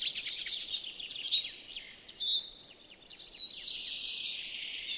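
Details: European greenfinch singing in a yard in Joroinen, Finland: rapid high twittering chirps and trills, then a long wheezy, buzzy note that sags slightly in pitch, against a quiet background.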